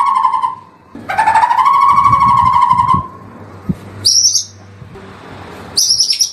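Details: Long morning tutor recording of a white-rumped shama: a mellow low whistle, then a sustained, slightly rising warbling whistle, followed by short high squeaky bursts with quiet gaps between them.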